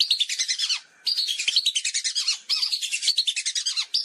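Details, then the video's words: Repeated twittering whistle series of the lesser whistling duck, used for luring in hunting: three fast bursts of thin, high notes with short breaks between them. "Suara Pikat Burung Belibis"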